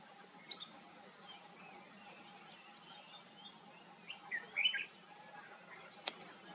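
A red-whiskered bulbul gives a short, bright, warbled phrase after a sharp high chirp, over a steady high hiss and faint background hum.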